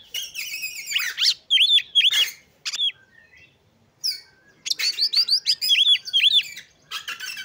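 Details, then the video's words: Dense, loud Oriental magpie-robin song of rapid varied phrases: rasping bursts, repeated arched whistles in pairs and trios, a pause near the middle, then another fast run of arched notes. "KACER MANAPUN PASTI IKUT BUNYI DAN LANGSUNG GACOR !!!"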